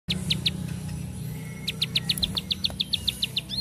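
Bar-winged prinia singing a quick run of sharp, high, evenly pitched chips, about four a second, over a steady low hum.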